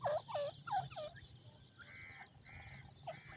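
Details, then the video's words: Pheasant chicks in a forest, reacting to the call of a pheasant: a quick run of four clear, downward-sliding peeps, then two longer harsh, buzzy calls and a final short peep, with low rumble beneath. "Pheasant chicks dancing to the sound of the pheasant"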